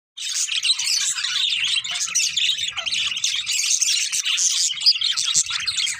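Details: Pair of pet budgerigars chirping: dense, continuous chatter of rapid twittering notes and short squeaky whistles, starting after a brief silence and running without pause to the end.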